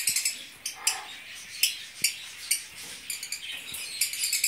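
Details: A captive breeding group of Fischer's lovebirds (Agapornis fischeri) in violet and blue colour mutations chatter in shrill, harsh, overlapping chirps and screeches, several per second, with a few soft knocks underneath.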